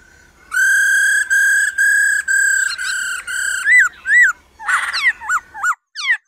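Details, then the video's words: Female laughingthrush singing to excite males: a series of long, steady, rich whistled notes in a row, then quicker up-and-down slurred whistles and a brief harsh burst, ending in rising notes. "Khứu mái ro ro.kích trống hót căng"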